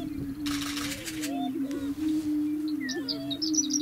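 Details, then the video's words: {'text': 'Greater Prairie-Chicken booming on a grassland lek near McCook, Nebraska, steady low drone with short rising whoops, a rapid rattle of camera clicks early, then high chips from Horned Larks and Western Meadowlarks.'} "the booming of Prairie Chickens"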